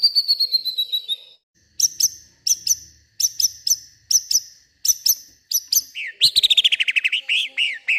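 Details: White-rumped shama singing agitatedly at night, pouring out its isian of imitated sounds from around the garden: a quick descending trill, then sharp doubled chips repeated about every 0.7 seconds, ending in a rapid rattling trill and warbled notes.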